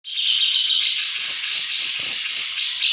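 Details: Grey-cheeked bulbul song played as a training recording meant to make any bird respond: a dense, continuous chattering of bright, overlapping high notes with no pauses and faint low rustling beneath.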